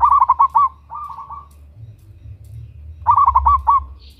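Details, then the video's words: Local zebra dove, a female calling a male, used to lure: a loud rapid cooing burst, a quieter trailing run of coos, then after a pause another stuttering phrase of five notes. "Perkutut Lokal GACOR Suara BESAR - Pancingan bunyi"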